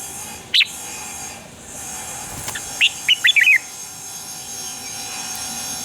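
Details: Red-whiskered bulbul morning song: a sharp single note then a short rush of four quick whistled notes, partly masked by steady electrical hum and hiss.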